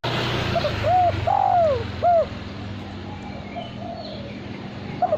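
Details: Male spotted dove, a cage bird prized for contest cooing, delivering one three-part coo phrase with a long sliding middle note over a steady low hum and faint background chirping.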